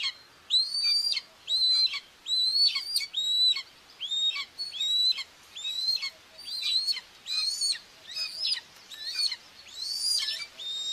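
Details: Feeding time at a common buzzard nest in Tiszalök, Hungary, June 2, 2024, as the mother feeds two young on a live camera. Rapid, regular high whistles follow one another about every second, each hooked downward at the finish. The series goes on for eleven seconds.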